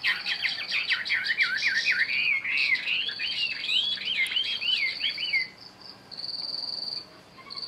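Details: Chinese hwamei, caged for one year, pours out a fast series of looping whistled notes, wavering up and down like a rolling chain, then drops to a faint high steady whine.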